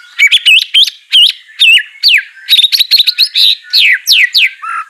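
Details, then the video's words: A white-rumped shama kept for song training gives loud looping whistles and steeply falling notes, repeated in quick phrases roughly once a second. "Gak Perlu Lama Murai Batu Malas BUNYI Pasti LANGSUNG NYAUT NARUNG dan GACOR"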